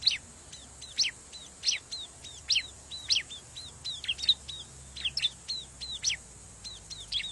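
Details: Bar-winged prinia calls at a riverbank, used as a lure for wild birds: sharp, high chirps, each with a short downward flick, repeated in quick runs of about two per second over faint background hiss.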